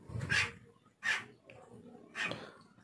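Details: Talking hill myna repeating the greeting 'Assalamualaikum' and the phrase 'Bapak ada tamu' in a small room, producing three rasping, speech-like syllable bursts spaced roughly a second apart over low background hiss.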